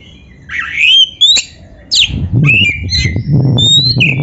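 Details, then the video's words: Oriental magpie-robin (kacer) song used as a training recording to get other kacer singing: varied clear whistled phrases with rising and falling sweeps and a quick rising note, over a low rumbling background hum. "SUARA BURUNG KACER MASTERAN"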